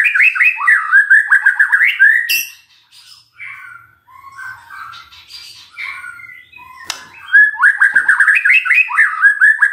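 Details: Magpie-robin lure song to make a non-singing bird respond: loud rippling whistled runs at the start and end, with softer, scratchier mixed notes and a sharp click in between.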